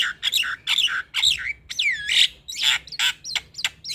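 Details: Black-winged myna song used as a lure for stressed birds, loud harsh squawks alternating with a few sweeping whistled slurs, about a dozen notes in four seconds, delivered in an irregular rhythm.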